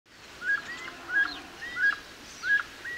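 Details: Grey-headed chachalaca in Costa Rica, filmed on a Fujifilm XH1. Short rising squeaky notes, each hooked upward at its end, repeated roughly every two thirds of a second over quiet background hiss.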